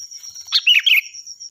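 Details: Loud, shrill sooty-headed bulbul, called kutilang, recorded as a song model for other birds: a single fluty, bubbling phrase of quick warbled notes over a faint persistent high tone.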